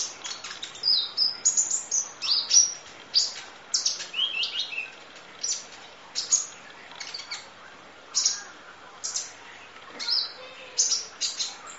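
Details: Kolibri ninja, or Van Hasselt's sunbird, singing a full 'isian nembak' masteran: dense runs of piercing high chirps and short whistled slurs, packed in the first seconds and then spaced into regular bursts.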